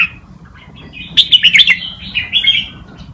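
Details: Red-whiskered bulbul tutor song for training young birds, a quick run of loud warbled whistled notes in the middle followed by softer descending phrases, over faint low background rumble.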